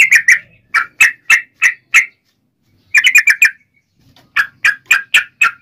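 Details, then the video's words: Yellow-vented bulbul singing its provoking fighting song: three series of quick, harsh-edged chattering notes, each series of four to six notes, separated by pauses of about a second. "trucukan gacor TARUNG NGGARUDA ROPEL ini AMPUH MEMBUAT agar burung trucuk gacor NYAUT EMOSI SEKETIKA"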